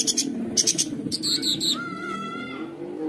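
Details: Long-tailed shrike song meant as a master recording for young shrikes: bursts of sharp high chirps, then a clear rising whistle that levels off and fades, over a low constant hum.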